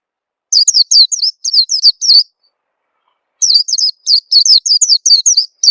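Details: Rapid, high, thin chirping of an Oriental white-eye, played as a lure so other birds start singing: two dense bursts of a dozen or so descending notes, split by about a second of quiet.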